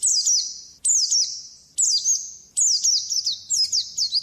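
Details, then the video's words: White-eye training song: high, clear phrases, each a falling slurred whistle that trails into a thin buzz, repeated about every 0.8 seconds, and the last phrase breaks into several quick notes. "Masteran burung pleci di jamin cepet buka paruh"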